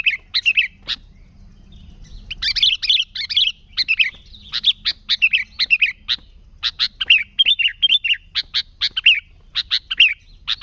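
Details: Excited sooty-headed bulbul chattering for luring: long run of bubbly, tumbling warbled notes and sharp chips, almost continuous after a brief early pause.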